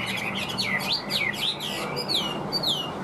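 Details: Caged, tame Chinese hwamei in full song: bright whistled notes that sweep sharply downward and loop back up, repeated in a lively sequence, over a steady low hum of the room.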